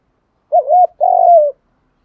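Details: Spotted dove coo used to stir up decoy birds in training; male and female doves. One phrase: a quick wavering double note, then a long, steady, slowly falling coo.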